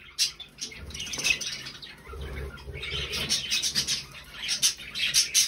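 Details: Trio of pet budgies, 20 November 2020, giving bursts of sharp, high-pitched chirps and warbling chatter, with soft low rustling or wing sounds underneath.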